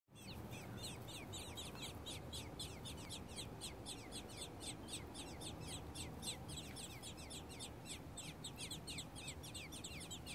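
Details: Robin nestlings, three days old, begging: a rapid series of thin, high chirps, about four per second, held steady throughout over a constant low rumbling background.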